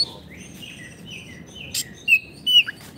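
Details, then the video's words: Oriental magpie-robin song meant for tutoring caged birds that have gone quiet; soft warbled whistles, then two loud clear rising whistles near the end and a brief downslurred note, over a faint low hum. "Terapi Kicauan Kacer Gacor pas untuk masteran Kacer macet bunyi"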